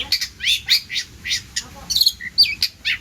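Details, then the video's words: Chatty long-tailed shrike singing a song rich in borrowed phrases, meant as a model for other cage birds: clipped high chirps and brief whistles with short pauses, plus one buzzy trill near the end. "CENDET GACOR ISIAN MELIMPAH!! UNTUK MASTERAN BURUNG ANDA!!"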